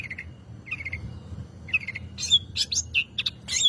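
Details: Long-tailed shrike singing a lure song meant to provoke other birds to sing: short buzzy notes near the middle range, then louder harsh, scratchy high bursts in quick succession toward the end.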